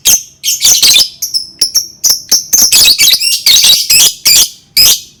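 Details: Lovebird in full song: rapid, shrill, high-pitched chirps and harsh squeaks, tumbling in quick bursts about a dozen times in five seconds, with a faint low hum behind.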